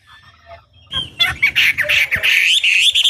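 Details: Chinese hwamei song played to provoke other birds: after a soft, low start, a burst of loud, harsh, rapid high notes rolling about three times per second.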